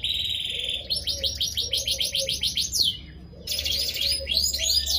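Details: Melodious, frequently singing canary, used as a lure to set other canaries singing. It gives a rapid rolling trill of repeated downslurred notes, pauses briefly, then resumes with high twittering phrases, over a faint hum.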